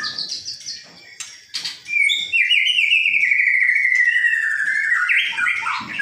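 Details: An old white-breasted Oriental magpie-robin sings: a few quick chirps and sharp notes, then a long, clear whistle that slowly slides lower before breaking into varied phrases.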